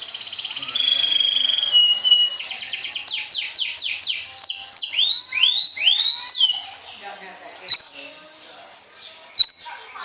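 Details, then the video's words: Champion sobek canary song aimed at provoking rivals: a buzzy trill and flat whistle open, followed by rapid rattling notes and arching whistled syllables, then quiet with a few sharp clicks near the end. "SUARA KENARI SOBEK SOBEK JUARA NGETRIL TAKLUKAN LAWAN, PANCING EMOSI!!!"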